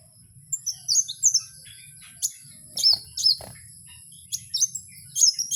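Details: Wild kowul giving spaced, high, thin chirps and quick whistled upslurs, roughly two dozen phrases a minute at irregular intervals. A faint low rumble sits in the background.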